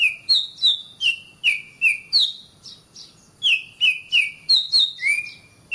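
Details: Kacer, the oriental magpie-robin, singing a masteran for training caged birds: a steady sequence of short bright whistles alternating between two pitch levels, repeated about three times a second with a brief pause midway.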